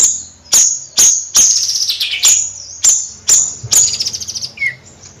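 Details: Bayeman in gacor nyrecet song: loud, evenly spaced high metallic chips about half a second apart, each with a short buzzy tail, closing in a fast fluttering rattle and a lower slurred note.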